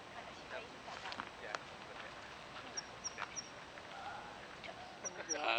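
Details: Zitting cisticola in grassland, known for two song types, perched or descending versus flying up. Short high sharp ticks in small clusters, spaced by pauses, over a low background with brief other noises and a louder tonal sound at the end.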